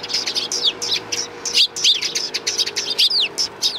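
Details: Sparrows gathering for food on a Tenmangu shrine approach, 24 April 2020, several birds giving quick, bright chirps that drop in pitch, tumbling over one another almost without pause; a faint low hum underneath.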